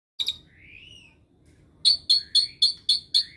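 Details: Asian pied starling, a caged pet that mimics other birds' calls, gives a long rising whistle and then six sharp chirps spaced about a quarter-second apart, each with a high note and a lower slurred tail.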